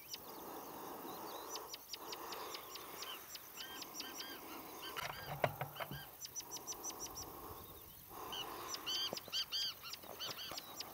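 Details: Rufous-tailed scrub robins guarding fledglings from a water snake, Shirvan National Park, Azerbaijan, June 23, 2013: dense volleys of hard ticking clicks mixed with looping, ringing arched notes, loudest near the end, over a low murmuring background.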